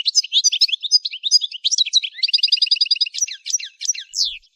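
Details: Goldfinch song for training: a continuous high, tinkling twitter of mixed chirps and slurs. It runs into a fast, even trill of repeated notes, then ends with several sharp downslurred notes and a rising whistle.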